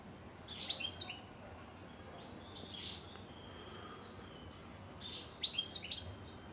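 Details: Goldfinch song heard as quick, high, liquid twitters in brief bursts. A drawn-out thin note sits between them, and a low hiss runs throughout.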